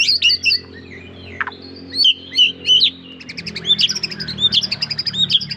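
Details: White-rumped shama song. Clear whistled and slurred notes open the phrase, then a rapid run of high, sharp chips and twitters builds toward the end.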